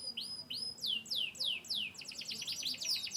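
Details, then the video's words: Canary of Yorkshire descent from Turkey and the US: a few slow rising chirps, then a series of loud downswept whistles about twice a second, breaking into a quick rolling trill. "chirping birds.Canary bird. descendant of yorkshire"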